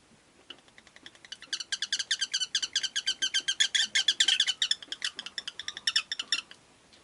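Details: Rapid, steady chattering from a pet rosy-faced lovebird in Japan, dozens of short, bright, buzzy notes pouring out at about two or three per second for several seconds.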